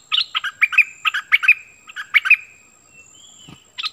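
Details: Bulbul kept as a decoy to draw wild birds down, 16 March 2021, gives a rapid run of bright, jerky chirps followed by a thin drawn-out whistle and a short burst at the end.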